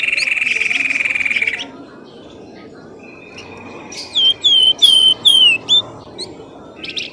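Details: Bird lure calls played to draw birds from bushes: a long, steady buzzy trill, then a thin held tone and a string of loud, clear, falling whistles.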